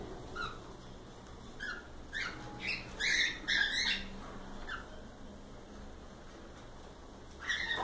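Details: Cockatiels produce quieter squawky chirps that grow into a louder burst midway, then thin out before a final chirp, heard against a low hum.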